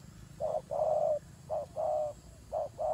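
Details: Turtle dove cooing during a fight: three clear phrases, each a short hoot followed by a sustained low coo, evenly spaced.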